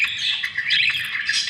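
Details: Budgerigars giving a dense, continuous chattering warble of high squeaky chirps and scratchy notes, steady in loudness throughout the short stretch.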